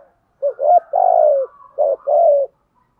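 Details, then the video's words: Spotted dove cooing, male and female voices, played to excite wild-caught doves into cooing: a short hooked note, a longer falling coo, then after a pause another hooked note and drawn-out falling coo, low and mellow, no background noise. "tiếng chim cu gáy kích bổi giọng bài bản. giúp bổi xiêng gáy và nổi rất nhanh"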